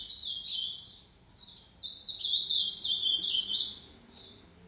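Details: Boca mole style song of a green-winged saltator, recorded at 10:40 on Tuesday, 29 December; high, bright chattering whistles in two bursts separated by a brief pause, fairly quiet against a steady low background hum.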